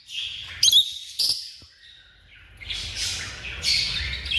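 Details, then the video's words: African lovebirds squawk with strained, high whistled-harsh calls, a couple of sharp peaks, then a louder, rasping run at the end. "The Vibrant Sounds of African Love Birds"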